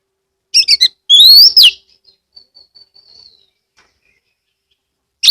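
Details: Oriental magpie-robin (kacer), Kebumen, Central Java, recorded to encourage other magpie-robins to sing; a few sharp chirps, then a loud rising whistled slur, followed by faint soft trailing notes.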